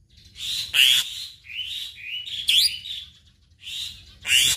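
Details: Black-winged myna giving drawn-out, harsh, rasping screeches with wavering pitch, several long calls separated by brief pauses, some louder and sharper than others.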